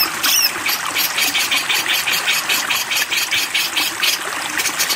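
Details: Grey-cheeked bulbul (Alophoixus bres) giving a harsh, crackling, buzzy chatter in quick bursts of about four a second, over the steady rush of running water.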